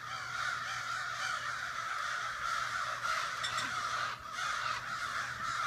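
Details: Vocal morning assembly of crows in a backyard in Sudbury, dozens of rasping caws overlapping into a steady din, occasional sharper calls poking above the mass.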